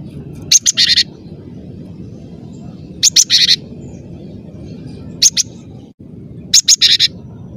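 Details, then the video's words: Cinereous tit (gelatik batu), said to sing tirelessly with a clear voice, giving short clusters of three to five high, sharp chirps roughly every two seconds over steady low hum. "ngotot suara jernih, gelatik batu gacor"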